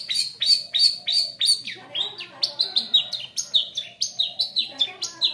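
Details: Long-tailed shrike song used as a lure to get other shrikes singing: rapid, evenly spaced high downslurred notes, about three per second, shifting midway into a varied run of chattering sweeps.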